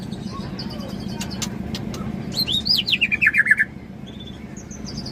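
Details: An Aceh white-rumped shama of the Tangse line delivers a fast run of clear whistled notes that slide downward in pitch, about a dozen in quick succession, over steady low traffic rumble.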